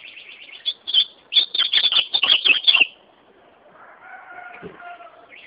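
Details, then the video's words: Ultramarine grosbeak in song, opening with a few soft, quick notes before a loud, rich phrase of rapid clipped notes lasting about one and a half seconds, then quieter tonal chatter in the background. "azulão cantando"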